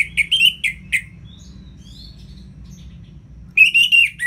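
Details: Orange-headed thrush song in ngeplong style: a run of four sharp, chirpy notes, faint soft whistles during a long pause, then a fresh burst of rich, warbled whistling.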